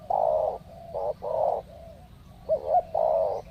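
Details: Wild spotted doves (tekukur) being lured during a likely mating season, arriving in pairs; soft, hollow cooing notes, a long held coo, a short one, then a rising double note before another drawn-out coo, over quiet rural background.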